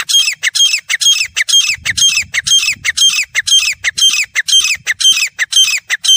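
Grey francolin calling: loud, harsh, shrill squawking notes repeated steadily about twice a second, with a faint low rumble in the background.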